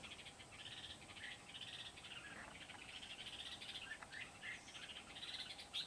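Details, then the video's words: Red-whiskered bulbul singing in Kim Bôi, Vietnam, on 8 September 2019, used as a decoy bird for trapping wild bulbuls: bright warbled phrases and short chirps repeated in quick bursts, with a steady faint hiss behind. "Bẫy chào mào Bổi Kim Bôi - HB quá sung"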